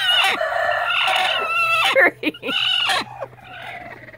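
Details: Three broody hens calling: loud, harmonic, drawn-out squawking notes over about two seconds, then a pause and shorter broken calls, with a steady low hum beneath.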